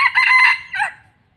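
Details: Decoy red junglefowl rooster kept for trapping in Thailand, closing a crow with a loud strained phrase and a short falling final note, clean and close.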